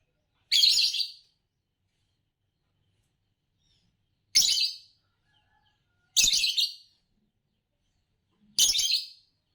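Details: Four loud, grating chirps from a champion green Fischer's lovebird of Indonesian song contests, each under a second long and separated by gaps of roughly two seconds.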